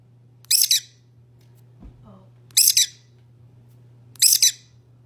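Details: A lovebird gives three shrill, buzzy double "chee-cheep" chirps, roughly every two seconds, over a steady low hum and one soft thump.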